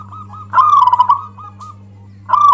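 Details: Local zebra dove, loud song said to make other doves angry, used as a lure: short coos, a strong rolling trill, a few clipped notes, then a fresh trill starting; steady low hum.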